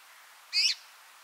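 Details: Red-mantled Rosefinch, a finch of high-mountain juniper and spruce habitats, giving a single short bright call with stacked, slightly downslurred harmonics, clean and isolated against a quiet background.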